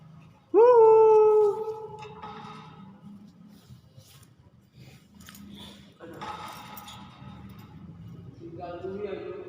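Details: Caged pet hill myna that answers when called and is said to cough: a sharp, rising-then-level nasal call of about a second, followed by quieter rough calls, with faint talking and room noise behind.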